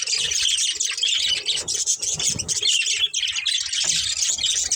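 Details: Budgerigar breeding pair chattering without pause, a steady stream of buzzy, squeaky warbling notes with faint low knocks beneath.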